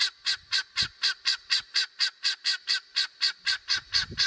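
A helmeted guineafowl gives harsh, grating notes repeated about four times a second in a steady, rattling series. Nothing else stands out.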